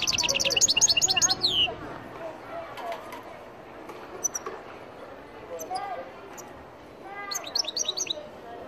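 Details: Algerian goldfinch opening with a fast run of high repeated twittering notes ending in a downward slur, followed by scattered single chirps and a final short flurry against low background noise.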